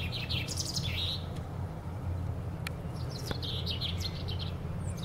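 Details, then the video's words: A common chaffinch singing in a tree at Powerscourt Gardens gives two bright, rattling song phrases about a second long, a couple of seconds apart, over a steady low rumble. "Bird singing in a tree"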